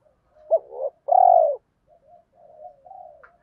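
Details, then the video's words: Spotted dove cooing as a lure to make wild males coo in reply: a short sharp note, rising hoot, then a long loud steady coo, followed by low soft burbling notes. "chim cu gáy mồi giọng thổ pha thúc gù như máy khâu, bổi nghe ức chế gáy theo, mở là gáy"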